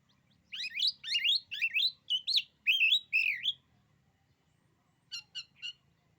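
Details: Oriental magpie-robin delivering a fast series of rich, warbling whistled phrases, followed after a pause by three short sharp notes.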